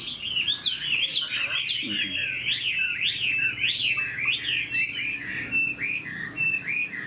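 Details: Chinese Hwamei, caged, tail fanned and plumage new, flicking its tail as it sings a dense run of rapid zigzag whistles, steady and unbroken for several seconds.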